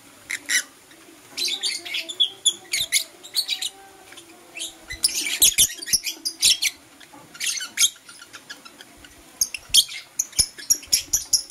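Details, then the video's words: Blue Opaline and Parblue Euwing Opaline lovebirds chirping in the morning: shrill, high-pitched chirps in dense bursts, some fast rattling runs, with brief quieter gaps between clusters. "Lovebird Chirping Sounds"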